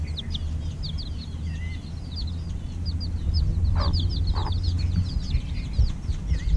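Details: A brood of chicks hatched a little over a week earlier peeps at evening feeding, the high cheeps steady but fairly faint against heavy low background noise, with a couple of dull thumps midway.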